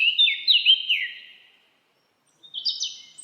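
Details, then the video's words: Singing bird in a forest: a sweet, down-slurred warbling phrase, a second of silence, then a short rising twitter. "Birds singing // Forest of birds relaxing your Mind"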